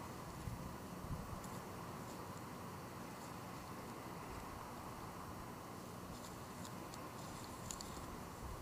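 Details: Low rumbling hiss like distant traffic runs throughout, broken by a few soft, scattered clicks; no animal calls.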